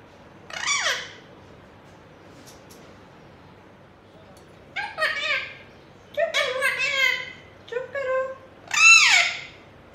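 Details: Indian ringneck parakeet, a pet kept indoors, speaking words in a clear, rather high, nasal mimicked voice in short bursts separated by pauses, with a few faint background sounds.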